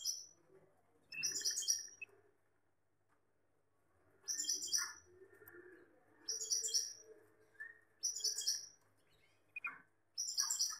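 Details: Gloster canary, a male sitting close beside a female, uttering bright, high twittering bursts roughly every two seconds, each a quick cluster of sharp chirps, with faint lower rustling between phrases.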